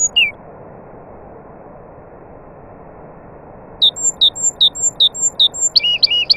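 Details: Nightingale heard with other birds: after a single early note and a long quiet stretch, a brisk run of evenly spaced short chirps with faint high whistles, ending in louder, doubled, looping notes.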